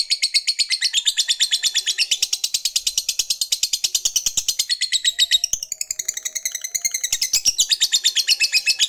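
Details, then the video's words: Long ngekek chatter from a lovebird fighter, used to rouse rival males: a continuous fast trill of harsh high pulses, briefly wavering midway before resuming the same rapid rattling pace for nearly nine seconds. "Ketikan Labet ini Merangsang Lovebird Fighter Cepat Narik Ngekek"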